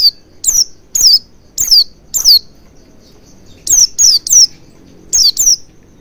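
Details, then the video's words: Oriental white-eye lure recording for prompting song: bright, high downslurred notes repeated about every half second in two bursts, the second a rapid run of three, then a paired finish. "Pancingan Burung Pleci Agar Cepat Ngalas & Buka Paruh Maksimal"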